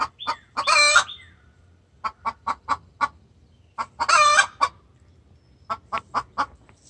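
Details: Hen giving a distress call to the rooster: two loud, grating squawks about three seconds apart, each followed by short bursts of four or five quick clucks, with silence between.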